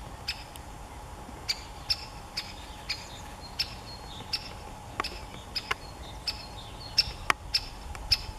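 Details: Great spotted woodpecker giving sharp, short 'kik' calls at an uneven pace, about sixteen in eight seconds, some in quick pairs, over a steady faint hum and low background rumble.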